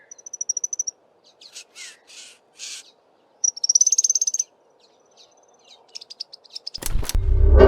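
Vampire ground finch giving thin, high whistles and quick chirpy trills in short bursts over a steady low hum, ending in a loud harsh noise.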